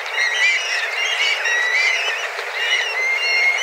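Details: Black kites gathered in a flock of dozens, flying and calling intensely for food, arriving at the same time each day; repeated high whistled notes, some with a short upward flick, overlapping among many birds.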